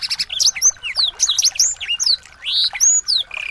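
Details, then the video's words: Varied song of small birds used to teach a white-rumped shama: a quick chatter, then clear high arching whistles, downward slurs and a sustained flat whistle near the end. "masteran burung kecil agar murai batu gacor"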